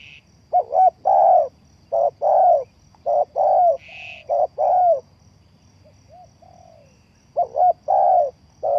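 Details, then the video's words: Spotted dove calling as a trapping lure: low, mellow coo phrases, each a short double note followed by a longer rolling coo, repeated steadily with a pause midway; a brief higher buzzy note in between and a faint steady high hum. "The Sound Of Spotted Dove is good"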